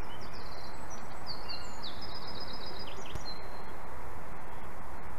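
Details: White-tailed eagle at a nest in Ķemeri National Park, Latvia, 11:32 am, 18 April 2024, as adult Rasene gets a small fish and swallows it: thin, high yelping notes in short rapid runs, some slightly falling, over heavy low wind rumble.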